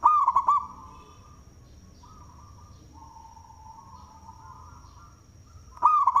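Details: Singing local zebra dove with a big voice, fit for luring: a loud rippling coo phrase opens and another closes, with a long stretch of soft, drawn-out cooing from other birds and a constant faint whine between.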